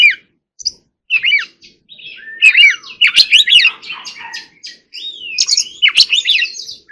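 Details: Oriental magpie-robin singing forest-voice song in training: isolated chirps, then dense twittering and bright slurred whistles in loud clusters, fading to a quieter trill at the end.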